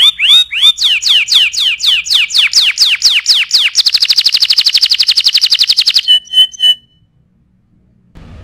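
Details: Master tutoring song of a gacor canary: looping down-slurred whistles repeated about four per second, then a rapid buzzy trill, a few separate pure notes, and a brief quiet end with faint noise.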